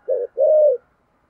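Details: Spotted dove in 'thổ sấm' (thunder) voice style, 'thúc gù' cooing: a short low hooting note, a brief gap, then one longer, steady, mellow coo, in a quiet setting.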